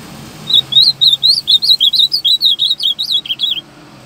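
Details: Azulão giving a firm, lively song: about fifteen quick, high, twisting whistled notes strung together over three seconds, ending in a couple of lower slurred notes, against quiet background.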